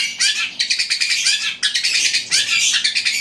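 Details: Eurasian tree sparrow; fighting chatter; fighting between rival sparrows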